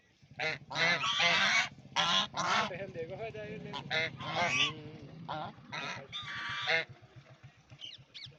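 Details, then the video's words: Duck playing in a pond, giving loud, harsh, nasal honking calls in quick irregular bursts, some drawn out, others short, with quieter calls between and a steady low pulsing hum underneath. "Duck Making Sound"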